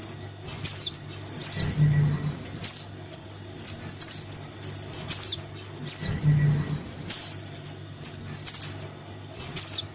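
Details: Chick of the Crimson sunbird calling to its parent, played to draw wild birds down: dense high buzzy chatters and quick ticking runs broken by sharp falling squeaks, cycling about every four seconds, faint hum below.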